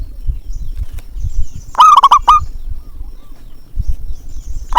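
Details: Zebra dove, local variety, used as a lure call to prompt quiet doves to sing: one loud, wavering coo with a bubbling triple-pulsed rhythm, set against faint background noise and a few soft chirps.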